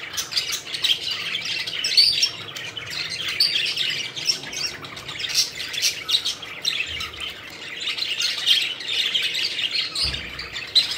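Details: Several pet budgerigars playing and flying: dense, continuous chirping and warbling, a busy chatter of overlapping high chirps with short squawks throughout, no clear pauses.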